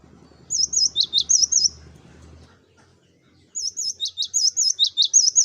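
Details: Cinereous tit (gelatik batu) in full song, used as a lure recording for flocking birds: a short run of high whistled two-note phrases over a low rumbling background, then silence, then a longer bright repeated series.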